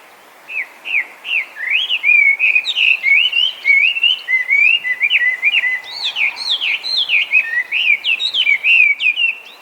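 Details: Feral Chinese hwamei in Japan singing: after a brief quiet start, a steady flow of bright whistled notes, first spaced upslurred calls then denser looping phrases, loud and unbroken to the end.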